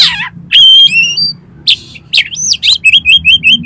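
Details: Lure song of a kacer, the Oriental magpie-robin, meant to make birds sing and fan their tails: a falling note, long high whistles, upward slurs, then five short whistled notes repeated quickly.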